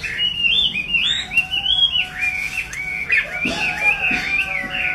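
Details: Chinese hwamei singing a continuous, rich run of loud whistles that slur up and down in varied phrases without pause, over a steady background hiss.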